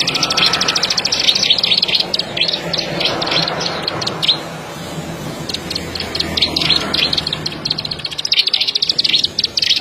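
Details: Plain prinia (ciblek padi) with bursts of high clicking and chirping notes, more broken and irregular than a steady rattle, over a busy, noisy background.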